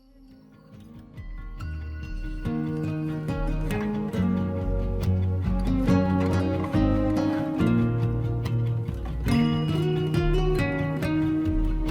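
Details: Plucked-string music with steady bass notes fills the whole recording, and no animal is heard. The music begins softly and rises to a full, even level within the first few seconds.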